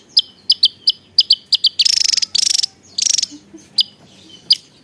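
Javan tesia song: a run of sharp, high, clipped notes about three a second, broken by two fast buzzy rattling trills, then more single notes.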